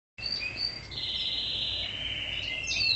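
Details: Canary song: a sustained bright trill held at a high pitch for most of the stretch, with short whistled notes at the start and a sharp rising note near the end; faint low background hum.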